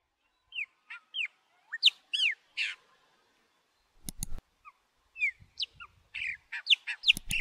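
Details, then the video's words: Chopi blackbird, a melodious singer whose female also sings, with chicks nearby: varied whistled phrases, slurred notes and short buzzy chatters in quick succession, broken by a couple of sharp clicks or knocks midway and near the end. "Pássaro Preto Cantando e seus Filhotes"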